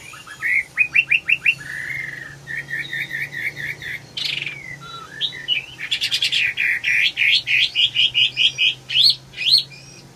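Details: Red-whiskered bulbul in lively song: quick strings of clear, bouncy whistled notes, a brief buzzy rasp in the middle, then fast rhythmic phrases of sharp, rising chirps repeated many times.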